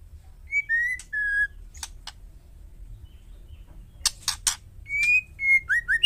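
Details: Calling female White-rumped shama, used to provoke silent males into replying: clear whistled notes with a rasp between, a quiet middle, three harsh scratchy bursts, then descending slurred whistles.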